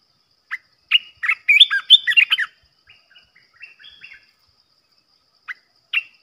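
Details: Olive-winged bulbul decoy for trapping gives a lively burst of loud, warbling, chirping notes, then quieter scattered phrases and two single sharp chirps after a pause.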